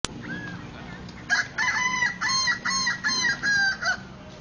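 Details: Kukuak Balenggek rooster staked to the ground at a crowing contest in Solok city, delivering a long crow of about eight short, bright syllables that step along in a rapid, stuttering chain, with quiet low murmuring beneath.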